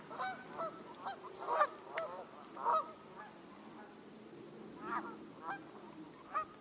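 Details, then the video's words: Canada geese calling in January 2024 with a gull flying around; a rapid jumble of overlapping honks, some loud and clipped, others fainter, against a murmur of lower background noise. "we've got Canada geese vocalizing. And there's a gull flying around."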